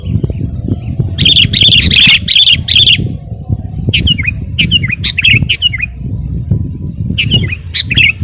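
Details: Gacor sooty-headed bulbul used as a tutor recording for caged birds: a run of four rough, buzzy notes, then scattered clear whistled phrases with downward slurs, all above a continuous low-pitched noise.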